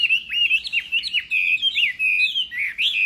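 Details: Chinese hwamei singing contest-style in the morning, a lively chain of quick whistled and warbled notes at a high, fairly even pitch.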